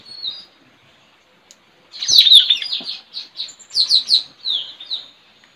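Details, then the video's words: Straw-headed bulbul trained as a lure, singing against another bird outside a village house on 4 April 2021; a faint opening note, then a loud rich warble followed by a rhythmic run of descending whistled notes. "Adu gacor puling parit pikat"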